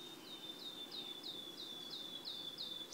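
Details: Wood warbler singing at PP Březinka, Náchod-Běloves, on 5 June 2016: a steady series of about eight thin, high, downslurred notes, roughly three per second, over faint low background noise.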